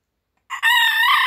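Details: Morning crow of a rooster: a brief lead-in note followed by a loud sustained rich crow cut off mid-call.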